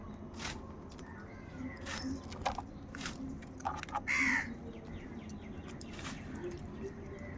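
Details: Crows from a huge flock fighting for food. Scattered harsh caws, with one loud, drawn-out hoarse caw near the middle, over steady background noise and faint clicks.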